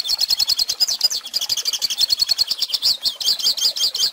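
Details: Hooded siskin singing, meant as a model for young birds. Dense, high-pitched twitter with quick notes in a continuous run and a slightly wavering, jingling quality.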